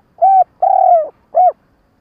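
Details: A captive spotted dove used as a decoy gives its stuttering trapping call: three loud, low, hollow coos, the middle one longest and gently falling, against a silent background.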